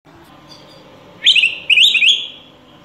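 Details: Critically endangered Araripe manakin from Brazil's forest gives its song, a short burst of high, sharp, slurred chattering notes lasting about a second, over a faint background hum.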